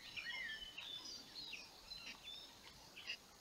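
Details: Slavonian grebe building a nest gives high, squeaky chirps and short trilling notes in quick bursts over three seconds, against a faint outdoor hiss.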